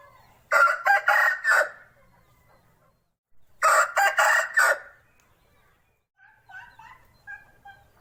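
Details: Aseel rooster crowing twice, each crow a rough, harmonic multi-part call about one second long separated by a few seconds of quiet, with fainter calling afterwards.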